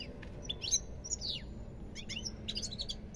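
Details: Goldfinch giving scattered high twittering notes and a few downward-sliding whistles, with short tinkling bursts toward the end over a low steady hum.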